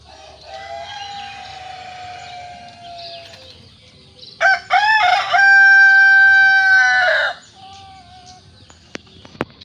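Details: Village chicken roosters crowing: a faint distant crow first, then a loud close crow with a stuttering start and long held note, followed by a few sharp clicks.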